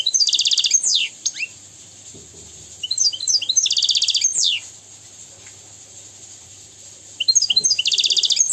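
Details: Singing European goldfinch, recorded for teaching young goldfinches and canaries: fast high twittering phrases with dense trills and sliding notes, separated by pauses of a few seconds, with a low hum underneath.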